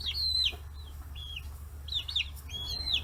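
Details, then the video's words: Chicks aged 40 days, raised free-range in Hiroshima, Japan, crowd around fish heads. Several long, high peeps that slide downward are spaced by pauses, with a low hum beneath. "生後40日 魚頭に群がる中雛！chicks chirping sounds"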